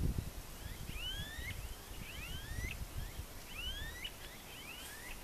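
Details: Wild smooth-billed ani (anu-preto) song: clear upslurred whining whistles, each sweeping upward and repeated several times in quick succession, over low rustling background noise.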